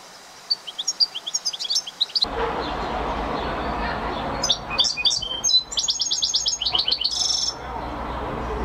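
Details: European goldfinch song in two bursts: light, high tinkling twitters at first, then a stretch of broad rushing noise, followed by rapid liquid chirps and a brief buzzy trill.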